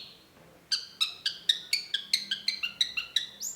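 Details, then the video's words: Long-tailed shrike, locally cendet, giving a lure song: a fast, even series of about twelve clear, ringing notes, ending in a thin high squeak. "cendet gacor PANCINGAN LANGSUNG NYAUT || Long-tailed Shrike"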